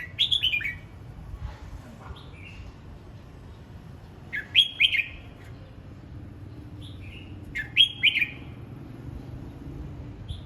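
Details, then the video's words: Red-whiskered bulbul in voice practice: short lively phrases of slurred, liquid whistles repeated every few seconds, each introduced by a softer note, over a faint low hum. "Chào mào hót luyện giọng"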